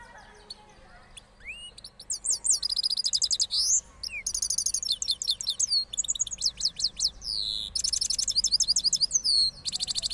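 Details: After moulting, a Parachinar cross goldfinch gives an extended rolling song: a rising whistle, then long strings of very rapid high twitters, buzzes and trills with short breaks.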